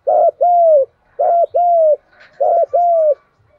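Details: Spotted dove calling for decoy training: three quick paired coos, each a short hoot followed by a longer smooth falling hoot, repeated about every 1.2 seconds, low pitched and clear.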